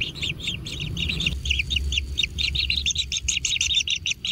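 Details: Young kingfishers at a natural nest calling while being fed, clear high chirps in quick runs of two or three notes, speeding up toward the end, with low hum behind.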